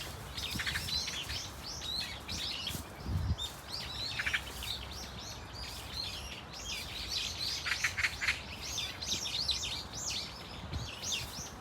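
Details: A flock of Brown-eared Bulbuls at Dunsan Grand Park giving varied calls: dense, overlapping squeaky chirps and short rising screeches, many birds calling at once without pause, over a low background rumble.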